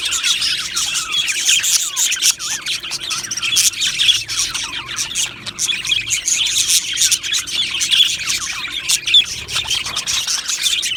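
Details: Budgerigars singing in an aviary colony, a rich warbling chorus of rapid looping, wavering whistles and chirps overlapping continuously, with harsher squawks scattered among them.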